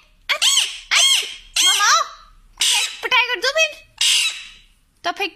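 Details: A pet male ringneck (rose-ringed) parakeet, said to be exercising to keep fit, gives about six loud, harsh, rasping squawks in a row, some with a chattering, almost speech-like wobble, in a quiet indoor room.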